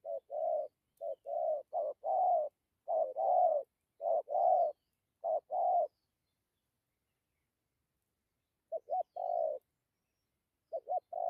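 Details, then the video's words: Spotted dove giving low 'dặm kèm gù' coos: a run of short-then-long paired notes about once a second, a silent pause of nearly three seconds, then the pairs resume more briefly. The background is quiet. "Thổ tốt tiếng gù tốt dặm kèm gù"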